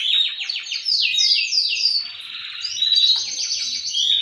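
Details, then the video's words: Male canaries singing together, one excellent singer answered by other males, a noisy chorus meant to stimulate breeding; rapid high trills and sweeping notes overlap continuously with no pauses. "تغريد فحول كناري الازعاج الذي يحتاجه طيورك لتحفيزها على الانتاج"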